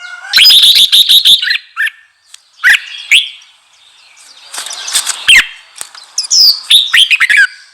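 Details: Red-whiskered bulbul singing to excite newly caught birds: an opening rapid run of bright warbled notes, separate sharp chirps, a noisy rustle, then further quick slurred phrases ending in a falling whistle.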